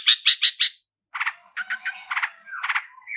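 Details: Long-tailed shrike song in 'roll speed' and 'roll tembak' styles for luring: four loud harsh notes in quick succession, a pause, then lower scratchy chattering notes and a brief whistle.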